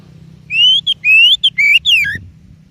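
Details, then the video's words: Oriental magpie-robin with a song used to stimulate other birds: a sequence of strong rising whistles alternating with short notes, closing on a downward slur, over a soft low background rumble. "Suara Burung Kacer Yang Sangat Indah,Cocok untuk Pancingan"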